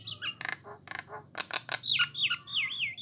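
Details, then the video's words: Jalak Nias, or brown starling, song meant to provoke other starlings to sing: short harsh buzzy bursts followed by clear wavering whistled notes sliding up and down, low background hum. "Merdunya Kicauan Burung Jalak Nias / Jalak Coklat, Memancing Jalak Lain Supaya Rajin Bunyi."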